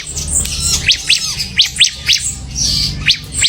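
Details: Bar-winged prinia (ciblek) in semi gacor form: spaced, sharp, high chip notes in small bursts, each a quick downward slur, with a brief thin whistle between them and quiet low rumble underneath.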